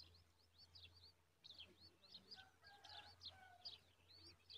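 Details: Faint but clear high, curved chirps from Common babbler young in the nest, coming in irregular clusters, with a soft low hum and some quiet murmuring underneath.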